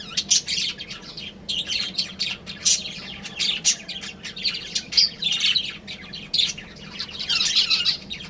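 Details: Breeding pair of budgerigars producing busy, warbling chatter of high scratchy chirps and squawks in uneven bursts, nearly without pause, over a faint steady hum.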